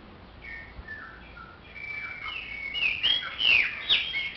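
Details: Chopi blackbird song that starts with soft falling whistles, then swells into louder, higher, fluttering whistled phrases in the final two seconds.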